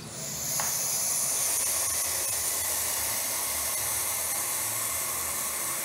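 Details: Barn owl (Tyto alba) at a nest in a church tower in Quincuncá, Farias Brito, Ceará, on 6 July 2019, gives a long, steady, breathy hiss for several seconds, harsh and airy like escaping steam.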